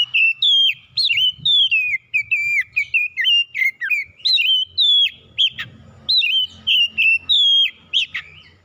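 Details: Oriental magpie-robin singing in the morning: a loud, continuous run of clear whistled notes, many sharply rising or falling slurs, delivered in quick phrases with brief pauses throughout, over a faint low hum.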